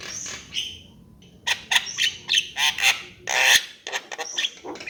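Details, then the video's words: Javan myna giving loud, harsh, squawking and grating notes in uneven bursts, preceded by a few high, thin whistles. "Kicau jalak kebo"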